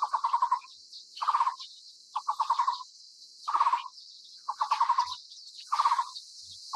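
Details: Taiwan barbet (Psilopogon nuchalis), a Taiwan endemic of low-to-mid elevation broadleaf forest, giving low, hollow rapid-pulsed bursts, each about half a second, repeated roughly once a second over a steady high insect hiss.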